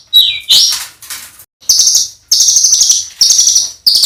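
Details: Competition-training master song from a songbird with rough filler phrases: a sliding descending whistle opens, followed by long, harsh, buzzy rasping trills separated by brief pauses.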